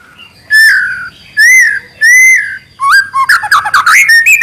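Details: Trotol-style song from an actively singing White-rumped shama: three long sweeping whistles, each about a second, then a dense burst of rapid, twisting notes.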